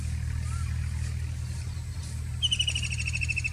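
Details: White-throated kingfisher giving a brief, rapid chattering trill of sharp high notes in the final second, over a steady low engine-like hum.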